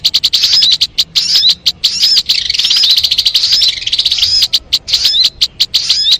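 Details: Sogon bird singing, a lure recording for catching sogon: continuous high, twittering chatter mixed with quick up-and-down whistled slurs, interspersed with sharp repeated clicks.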